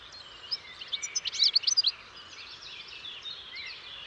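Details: European goldfinch giving a short cluster of quick, bright chirps in mid-clip, surrounded by softer twittering and background hiss.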